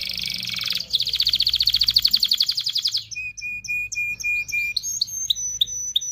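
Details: Canary song used to stimulate males and females to mate: a dense buzzy trill running into a fast rattle, then evenly repeated flat whistled notes mixed with short chips.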